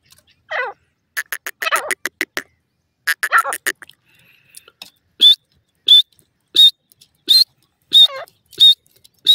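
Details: Caged Irani teetar partridges fighting: a rapid run of dry clicks and rattling bursts opens, then a steady series of sharp, high clipped whistles repeats about every two-thirds of a second.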